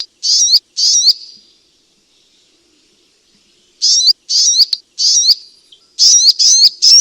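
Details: Sunbird calls used as a lure: two sharp, high twisting notes, a long silence, then a quick series of similar notes that bunch together toward the end.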